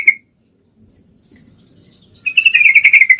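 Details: A breeding female yellow-vented bulbul calling for a male: one sharp chirp, a second of quiet with faint rustling, then a fast run of bright, evenly paced chattering notes.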